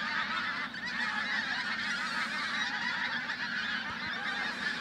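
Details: Pink-footed geese in a big flock at Flitcham, 5 January 2017: an unbroken wall of many overlapping honks and yelps, evenly loud with no pauses.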